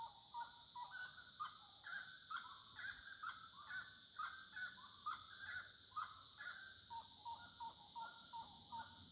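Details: Wood rail singing at nightfall: loud, hoarse, repeated notes in rhythmic bursts, rising and falling, roughly two per second, over a steady high insect hum.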